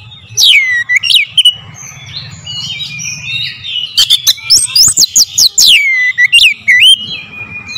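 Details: Oriental magpie-robin singing a fiery lure song: sweeping descending whistles, a rapid volley of sharp clicking 'shots' mid-phrase, then looping rising-falling whistles over a low background hum.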